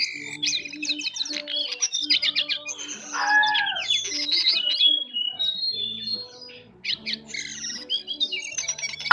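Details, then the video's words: Jongkangan bird twittering: rapid high chirp series and trills, interrupted by a lower, descending slurred note, then scattered high notes, with a quieter stretch before a final burst; low hum behind. "Jongkangan gacor Ngeriwik Halus"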